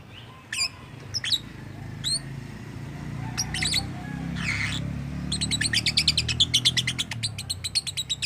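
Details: Lovebird making strange sounds, said to imitate human speech: a few separate squeaky chirps and a harsh buzzy note, then a long fast string of sharp high chirps, about three a second, over low rumbling noise.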